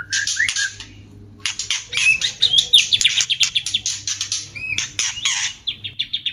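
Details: White-rumped shama mating sounds in a cage, used as a lure to bring shamas into breeding condition: dense bursts of harsh, buzzy high notes mixed with short whistles, pouring out almost without pause after a brief silence.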